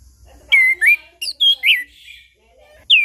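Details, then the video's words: Chestnut-capped thrush song, played to trigger silent birds into singing morning, noon and evening; rich, fluty slurred whistles in a rapid string of varied phrases, ending on a loud downward whistle. "Anis Kembang Ngeplong Pagi Siang Sore - PAncingan Burung Anis Kembang Macet Bunyi"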